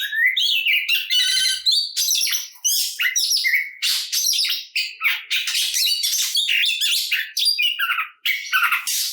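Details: Oriental magpie-robin in full aggressive fighting song used to stir other birds into answering; dense varied phrases mixing harsh squawky notes, rapid trills and sharp whistles with almost no pauses.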